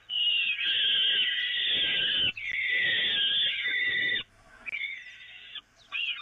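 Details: Peregrine falcons at the Evoluon nest, feeding from the grating on 13 May 2018: two long, harsh, screeching wails of about two seconds each, then shorter rasping cries, loud and strained in tone.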